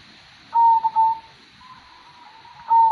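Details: Kong-style song of a local zebra dove: a clear, level cooing note, a short break, a second held note, a long quiet stretch with faint trilling, then a final strong coo.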